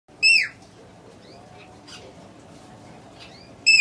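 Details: A very tame baby great green macaw gives two loud, harsh, downslurred squawks about three seconds apart, with faint chirps in between.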